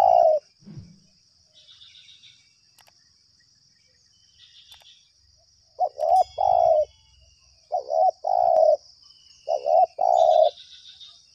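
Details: Spotted dove answering a decoy lure during trapping: after a lone coo, three quick three-note coo phrases follow in succession around every two seconds, with soft high-pitched insect buzzing and a faint wing rustle.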